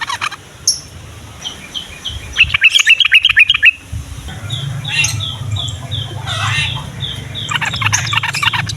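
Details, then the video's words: Yellow-vented bulbul singing in the morning, a recording used to lure young bulbuls into singing: a fast run of sharp, evenly repeated notes, then looser chattering phrases, over a steady high, rapid chirping from other birds and a low hum. "SUARA BURUNG TRUCUKAN PAGI HARI"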